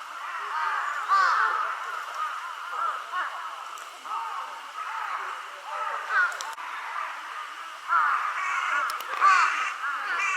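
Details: A group of mostly young crows, possibly calling for their parents, gives weak-sounding, hoarse, nasal caws over one another in a dense continuous chorus, rising in bursts every few seconds.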